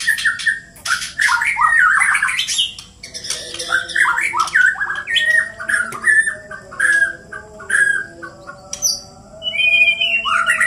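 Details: Two white-rumped shamas fighting, Borneo birds from Indonesia: dense, harsh, continuous squawking and chattering with rapid slurred notes and sharp high clicks, overlapping phrases with hardly a pause, ending in a bright rising whistled trill.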